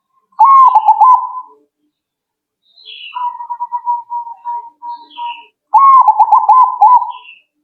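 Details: Zebra dove answering straight away with loud rolling stuttered coos, a long softer bubbling trill between them, and faint high chirps of other birds.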